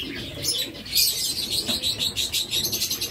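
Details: Flock of caged zebra finches chattering: dense, loud run of sharp high-pitched chirps, roughly two per second, pulsing unevenly, with little else beneath apart from a faint murmur.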